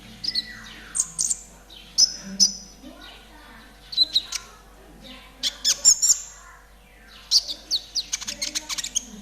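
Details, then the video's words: Active konin trotol, recorded to teach caged birds and coax them into song: high descending whistles and sharp chirps in clustered bursts, separated by short gaps, ending with a fast rattling series of ticks; a faint low hum persists. "TERAPI KONIN TROTOL AGAR CEPAT BUNYI || MASTERAN KONIN TROTOL GACOR"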